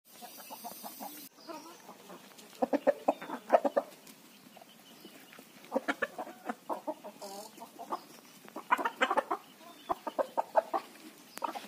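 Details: Desi (native) rooster: short clucks, soft hum and rustle first, then bursts of quick, clipped clucks in loose runs of three to six, pausing between bouts, with a brief faint noise near the middle.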